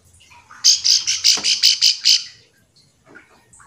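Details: Bar-winged prinia call aimed at drawing silent prinias into answering; a burst of about eight evenly spaced, strong buzzy notes over two seconds, then quiet.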